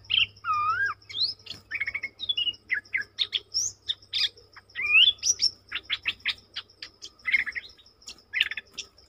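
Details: {'caption': 'Bulbul in full song, dated 20/03/2022: curved whistled notes, rapid clicking chatter and rising sweeps in an energetic, varied stream over nine seconds. An evenly repeated high insect pulse runs steadily behind it.'}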